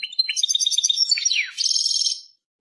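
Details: European goldfinch twittering at a quick pace, tinkling notes sliding into a falling slur, followed by a short buzzy, trilling end.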